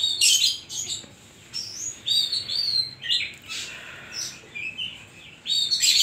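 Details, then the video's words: Kacer, the Oriental magpie-robin, in lively song with 'isian koslet' filling: harsh scratchy bursts alternating with clear high whistled slurs and rising notes, delivered in quick, varied phrases with brief pauses. "burung kacer gacor isian koslet"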